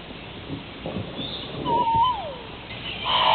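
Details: Hawaiian crow (Corvus hawaiiensis), a species extinct in the wild, giving a smooth tonal note that slides downward in pitch, then a louder, harsher, broad-toned burst near the end, over a low rumbling background.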